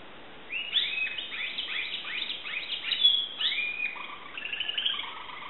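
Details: Timbrado canary kept by its owner in Greece, singing a run of repeated downward-sweeping notes that turns into rising slurs and a few flat whistled phrases, moderately loud with a faint hiss behind.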